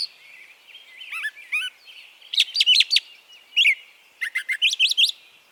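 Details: Brown Thrasher singing in Harvey County, Kansas, where it arrives in spring; a rich run of high whistled and chirpy phrases, several sung twice in quick succession, with rapid repeated notes near the middle and a quiet background.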